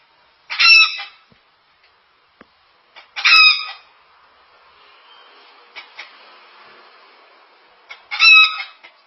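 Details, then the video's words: A cockatoo gives three loud, harsh, chicken-like squawks, each about half a second long and irregularly spaced, with a few faint clicks between. "cocky makes chicken sounds"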